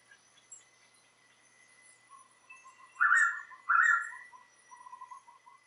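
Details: Typical call of a Blue Pitta recorded in Tat Mok National Park, Thailand: a single pair of loud, slurred whistles in quick succession, with another bird's soft, low trill continuing in the background.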